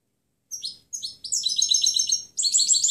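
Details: Training recording of a European goldfinch's clean song: two short separate chirps, then a dense rolling twitter of high, rapidly repeated notes.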